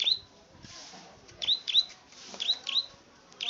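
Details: Plain prinia, the klik-klik bird, gives a handful of high, snappy clicks in loose pairs with uneven gaps. Hiss and soft background noise fill the pauses.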